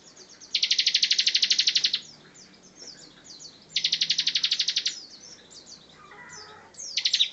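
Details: Two long, dense trills of rapid high pulses, each over a second, from a Bar-winged prinia master bird singing ngebren style, with thin chirps in between.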